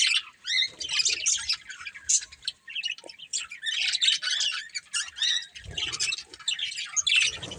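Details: Pair of colourful pet budgies, kept for breeding, giving rapid high chirps and scratchy warbled chatter, almost unbroken, with soft low knocks near the end.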